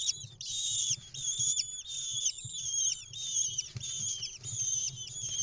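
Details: Nestling lesser kestrels begging in Israel, 6 May 2021, while their mother delivers an insect; five chicks hatched from late April to early May. Strained, high squeals in long, nearly unbroken bursts, with soft low scuffling underneath.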